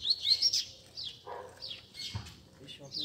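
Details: Group of caged Double-collared Seedeaters singing at a friends' Sunday meeting, used to warm up a competition bird: short descending high whistles and fast chips repeated about every second, with soft speech behind.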